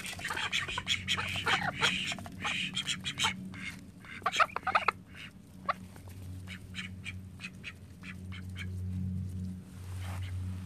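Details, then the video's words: Household call ducks, thirteen in the flock, quack in busy overlapping bursts that thin out toward the end, leaving scattered single quacks over a low humming drone. "コールダック 我が家の13羽の天使たち 9 callducks 13 angels in my house 9"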